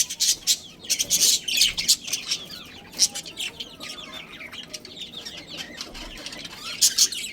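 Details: Budgerigars in a colony with a breeding pair: loud raspy chirps open and close the clip, with quieter high twittering and warbling in between.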